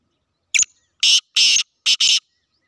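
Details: Sindhi black francolin gives a loud harsh phrase: a brief clipped opening note, then two long rasping notes, then a quick pair of grating notes, against a silent background.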